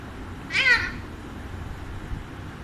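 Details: ['Talking pet Alexandrine parakeet producing one short, rasping, cat-like screech of under half a second in a quiet indoor room, with faint background hum afterward.']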